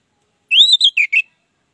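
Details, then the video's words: Short song phrase from an orange-headed thrush, used as a lure to get silent birds singing: one rising whistled slur followed by three quick clipped notes, brief and clean with no other sound. "Anis Merah Ngeplong Gacor Sangat Ampuh dijadikan Pancingan Anis Merah Macet"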